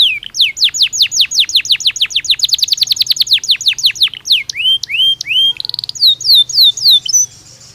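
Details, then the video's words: Belgian canary singing naturally: a fast run of bright, repeated downward-sweeping whistled notes, about three per second, then rising slurred notes and a short quick trill, with high chirps over the top. "Canario Belga Cantando Naturalmente"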